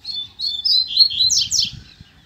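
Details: Kept male double-collared seedeater (coleiro) singing after his female arrived: a quick run of sweet high warbled notes, slurred and rising, ending in two buzzy descending sweeps; quiet room, no other voices.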